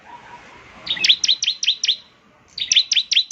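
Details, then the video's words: Bar-winged prinia lure song to coax a caged bird into singing: two runs of five quick, high, down-slurred chirps, slightly buzzy, separated by a brief pause, with a faint low murmur underneath. "Pancingan Ciblek Semi Gacor Agar Bunyi..!"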